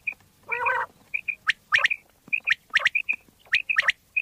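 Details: Common quail calls from Pakistan for quail hunting: a rough squawk opens, then sharp triple strokes mixed with doubled piping notes repeat about once a second.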